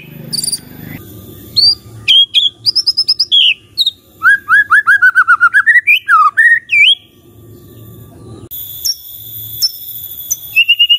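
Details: Long white-rumped shama song: sharp high notes, long runs of rapid repeated whistled syllables about four per second, swooping slurred phrases, then a pause with low background hum before thin high whistles resume.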